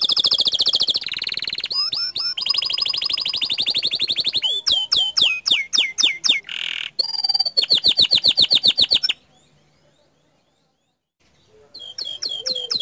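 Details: Canary singing in the gacor dor style: long fast trills of high, rapidly repeated notes with swooping whistles, a silent pause of about two seconds near the end, then the song resumes.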